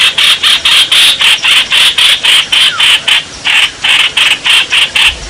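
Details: Bulbul giving a mating call, recorded 28 May 2021: loud grating notes repeated rapidly, about four per second, with a brief pause midway, then the series resumes.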